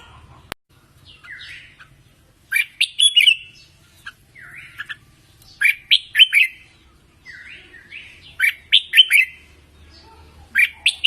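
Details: Red-whiskered bulbul training song, used to coach newly caught birds: short bright warbled phrases with quick rising and falling notes, delivered in three bursts about three seconds apart over faint low hum.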